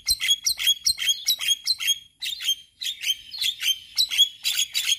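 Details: Male Javan myna song, used to train other mynas: dense, fast chirping and squeaky whistles in rapid clusters, with one brief gap midway.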